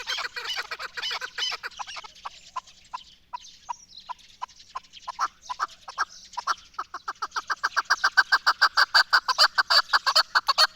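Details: Chukar partridge, the national bird of Pakistan, with scattered, uneven clucks that gradually settle into a loud, regular run of rapid chuck notes over the last few seconds.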